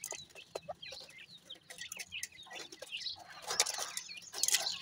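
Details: Grey francolin (sindhi teetar) chicks while feeding: many overlapping high, thin squeaky peeps and chirps, some rising or falling, crowded together and growing busier toward the end, with soft rustling and pecking noises.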